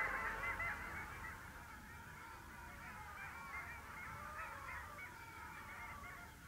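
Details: A chorus of long-tailed ducks at the Vistula mouth on 8 February 2013. Nasal, wavering calls overlap continuously, slightly louder at the start, over faint low background noise.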